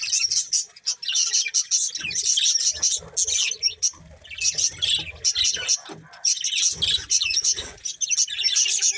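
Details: A breeding pair of budgerigars chattering in long runs of fast, scratchy, high twitters and chirps, dipping briefly between bursts, with soft low thumps and rustles in the background.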